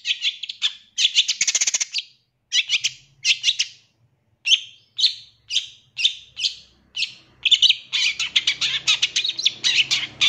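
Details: Long-tailed shrike song used to train captive birds: buzzy chattering bursts followed by a series of similar sharp notes repeated about every half second, then faster chatter.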